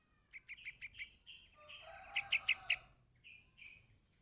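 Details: Young yellow-vented bulbul calling its parent with a quick series of sharp chirps, then a burst of four loud clipped notes over a lower rustling sound, followed by short buzzy notes.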